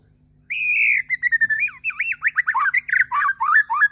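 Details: White-rumped shama, Borneo type, singing in the morning: a long level whistle followed by a rapid, varied stream of looping, slurred whistled notes.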